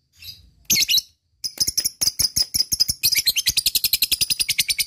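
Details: Lovebird calling as a lure, in the 'ngetik ngekek' style: a short harsh burst, a pause, then rapid high ticking that speeds into a continuous, buzzy, shrill chatter.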